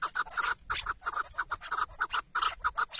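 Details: Tethered decoy chukar partridge during a partridge hunt in Şırnak, Turkey, giving loud rhythmic clucking notes in bunched bursts, about one and a half bursts per second, with brief gaps between groups.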